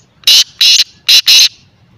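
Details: Francolin, named as a white or black francolin, giving four loud, harsh, clipped notes grouped in two pairs, each burst broad and scratchy with a bright high core, over faint background hiss.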